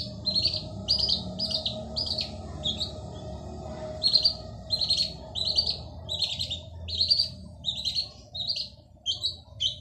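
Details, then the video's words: Male long-tailed shrike singing vigorously, used to draw silent shrikes into song. Rapid scratchy chirps come in clusters with brief pauses between them, over a steady faint hum. "Burung cendet jantan gacor dor cocok untuk pancing cendet bisu"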